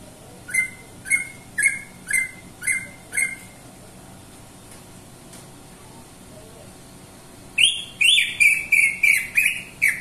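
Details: Greater green leafbird (cucak ijo) delivers six evenly spaced whistled chirps, falls silent for several seconds, then bursts into a faster, louder run of eight rising whistles.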